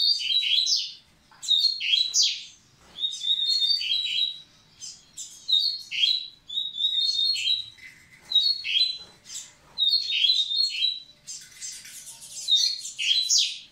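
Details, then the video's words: Double-collared seedeater singing to get the females ready, a loud, clear run of repeated sharp, slurred chirping phrases, each about a second long, given roughly every one and a half seconds with short pauses between them; nothing else audible. "Coleiro Massai cantando pra aprontar as fêmeas!!!"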